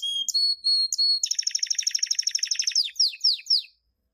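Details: Champion canary training song from 2016 for young birds: opening flat whistled notes, a rapid evenly pulsed high trill lasting about two seconds, then three falling sweeps before silence.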